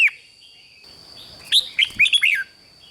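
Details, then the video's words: Red-whiskered bulbul song in the 'rik' style, played to caged birds to excite them: after a near-silent stretch, a burst of short, bright, chirpy whistled notes rising and falling, over a steady faint high electronic tone. "เสียงนกกรงหัวจุก ร้อง ริก เปิดให้นกฟัง ยั่วให้นกคึกจัด"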